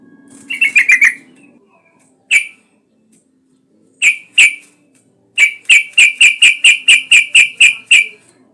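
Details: Actively singing yellow-vented bulbul as a lure sound to get other bulbuls singing: a quick bubbly burst, then scattered sharp single chirps, ending in a long evenly spaced series of about twelve bright chips.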